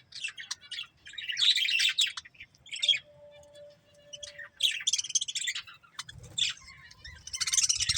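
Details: Warbled chatter from a breeding budgerigar pair: dense, scratchy high chirping runs, a short steady whistled note midway, then renewed busy twittering over faint low rumble.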